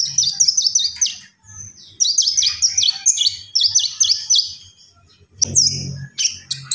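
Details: Common iora repeating a high, buzzy chirp with a falling whistle several times in quick series, then a loud knock and more chirps, over a faint low hum.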